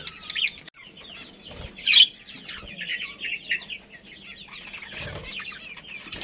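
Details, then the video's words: Budgerigars in a colony with a breeding pair, giving soft, scattered warbling chirps and short rising twitters at a quiet level, with a few louder sharp notes near the middle. "Cute Budgies Chirping Sounds"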